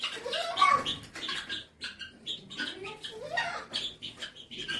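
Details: Helmeted guineafowl in a village in Upleta, Rajkot, Gujarat, giving harsh, grating calls in two bursts with a lull between, over a noisy farmyard background.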